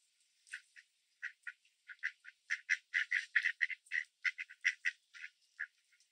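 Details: Mallard males quacking loudly while chasing other hungry ducks away from birdseed spread on grass in Southern Ontario, Canada: a rapid, uneven series of short nasal quacks, growing denser mid-clip and then tapering off.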